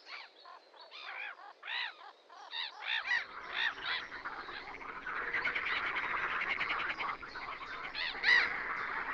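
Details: Harsh, rasping calls of a red-crested pochard, clustered over the first three seconds, then blurred into a broad background hiss with one last sharp call near the end.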